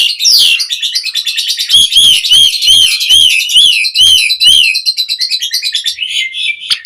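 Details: Black-collared starling song, varied and energetic, played to tutor other starlings: a dense high chattering stream with repeated arched whistled notes about every half second over rapid rasping pulses.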